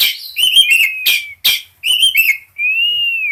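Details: Oriental magpie-robin in breeding condition: quick twittering whistled phrases with harsh scratchy bursts, then a single long clear whistle arching up and sliding down to finish.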